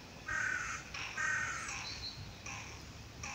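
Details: A hooded crow, attentively listening to and exchanging calls with other crows, gives two harsh, rasping caws about a second apart, then several quieter, shorter croaks over a faint low background rumble.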